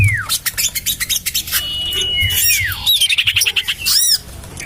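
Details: Lure call of common iora for luring birds, tried in a garden next to a house: falling slurred whistles, a rapid run of clipped chattering notes and a loud arched squeak near the end.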